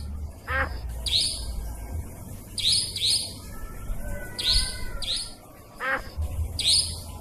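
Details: Nightjar lure sound for trapping, usable by day or night and including forest nightjar calls. Bright chirps come in pairs and triplets, with two short rasping downward sweeps and a low rumble behind.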